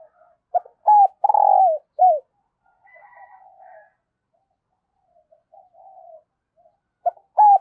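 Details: Decoy spotted dove cooing to lure newly arrived wild doves, in the thúc and gáy calling styles. It gives one loud four-part phrase: two short notes, a long rolling coo, then a falling note. Softer murmuring coos follow, and another phrase begins at the end.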